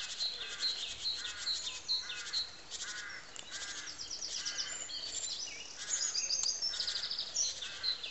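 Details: Nuthatch calling: short, bright, high notes repeated in quick clusters about twice a second, keeping up a steady, insistent series over faint background noise.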